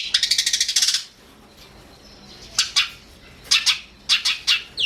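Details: Long-tailed shrike, recorded as training song for other songbirds: a fast rattling chatter of about ten harsh notes in one second, a pause, then scattered rasping double and triple bursts.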